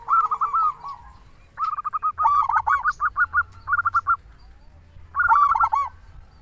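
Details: Local zebra dove calling, used as a lure to get other doves to start calling: soft rhythmic cooing phrases of quick repeated notes in groups, a pause, then a long run of rapid coos and a final phrase.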